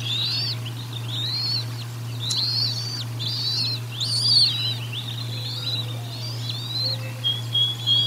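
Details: Nest-camera recording of bald eagles during feeding at Decorah North, 04/01/2022: a long series of high, arched chirping notes, sometimes doubled, rising and falling in loudness, plus a few faint lower whistles and a steady low hum.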